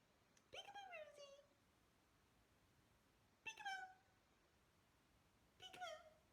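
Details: Pet cockatiel indoors during a peek-a-boo game: three short, clear calls about two and a half seconds apart, each sliding downward then levelling off, rich in overtones, against a quiet room hiss.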